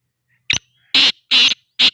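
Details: Black francolin calling in Sindh, Pakistan: a brief, clipped opening note, then three loud, rasping, grating notes in quick succession, about a third of a second apart, in an otherwise quiet setting.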